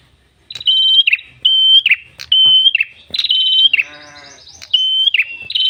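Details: Red-headed tailorbird singing energetically, used to lure birds and prompt captive ones to sing: repeated steady high whistles, each closing in sharp downward chirps, with a brief harsh buzzy rasping note midway.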